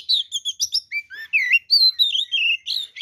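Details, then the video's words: Oriental magpie-robin in full song, meant to goad rival males into fighting: a fast medley of clear, high whistled phrases, some rising and some falling, sweet slurred notes packed closely with almost no pauses. "SUARA BURUNG kacer gacor TARUNG FULL ISIAN ini PALING AMPUH MEMANCING KACER LAIN JADI EMOSI"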